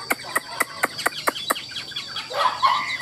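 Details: In Vietnam at 8:30 on a slightly sunny, hot morning, a Chinese hwamei that has sung continuously since about 6 a.m. gives seven sharp, evenly spaced notes about four per second, then a brief warbling phrase of mid-pitched whistles, over a steady high hiss.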